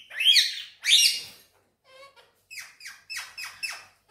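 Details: Green Indian ringneck parakeet giving two loud, shrill squawks, then a quiet voice-like murmur, then a quick series of five short, buzzy chattering notes in a small room.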